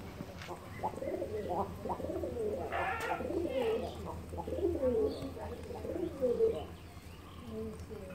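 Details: Domestic pigeons kept for rearing, cooing in a cluttered, echoing indoor space: soft throaty coos repeat irregularly, overlapping and blurred together, with faint human voices and a steady low hum beneath.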